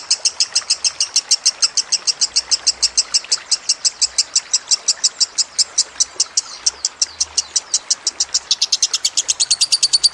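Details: Rapid, relentless trill from a lovebird, used as tutoring song with gurgling water: harsh, high chirps pour out about seven per second, rising slightly in pitch toward the end.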